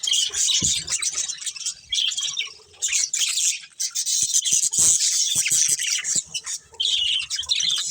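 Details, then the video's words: Budgies from a breeding colony twitter and squawk in rapid overlapping bursts, shrill scratchy notes with brief lulls and scattered clicks and taps. "Cute Budgies Chirping Sounds"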